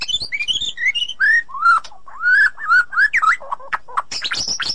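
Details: Mellow whistled phrases of a white-rumped shama, cleaned audio meant to get a quiet shama singing again: descending high notes, then lower rich, warbled whistles and a closing burst of high chatter.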